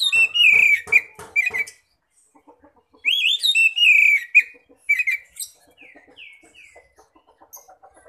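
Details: An Oriental magpie-robin sings loud, varied whistled phrases in two rich bursts, ending with a few sweet rising whistles, a lure recording meant to provoke other magpie-robins to sing.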